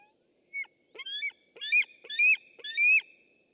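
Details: On a webcam, 6 August 2015, a white-tailed eagle gives a quickening run of loud, shrill, whistled yelps, each harsh and rich in overtones, building to three strong notes near the end.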